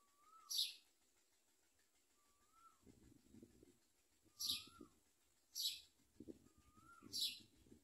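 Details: Common myna adults bringing locusts to feed hungry babies: four harsh, hissy high squawks about a second apart, each paired with a soft rising whistle, over a low rumbling background.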